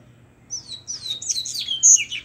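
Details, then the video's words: Double-collared seedeater returning from moult gives a fast, chattering run of high, slurred whistles and twitters. The notes sweep up and down and tumble together without a break. "coleiro "gordinho" voltando de muda"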